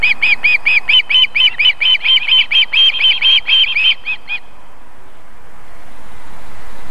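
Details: Female osprey at a nest in South Estonia, Võrumaa, near a fish farm and river, feeding her chicks on a July evening; a rapid series of high, piping whistled notes, about two per second, for four seconds, then quiet with rising background hiss.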